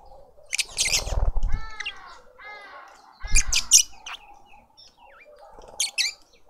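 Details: Lovebird family feeding a juvenile in a suburban garden in Pretoria, South Africa: a few harsh shrill chirps, then a burst of nasal, wavering calls with low fluttering thumps. Short sharp chirp bursts follow after quiet gaps.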